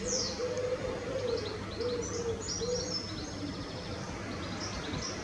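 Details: Grey wagtail fledgling in Norwich on 10 May 2017 gives thin, high, sharp chirps in quick irregular bursts, over a low steady hum and background rumble.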